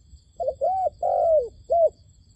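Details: Captive decoy dove calling to attract wild doves for trapping: a single phrase of four hollow, arched coos, the third longest and sliding downward, against a quiet low hum.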